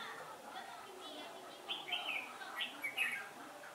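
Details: Red-whiskered bulbul at a trapping site on a day of shifting wind, 15 October 2017: a run of quick, rising and falling whistled notes in the second half, over low steady noise.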